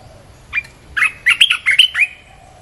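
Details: Red-whiskered bulbul song used as a lure for wild birds: one quick bubbling phrase of about seven liquid, warbled notes, loud and clear over a low steady hum.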